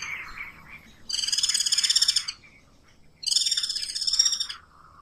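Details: Guira cuckoo (anu branco), a South American bird known in Brazil, singing. Two loud, buzzy rattling phrases, each about a second long, are separated by a pause, with a softer murmur before the first.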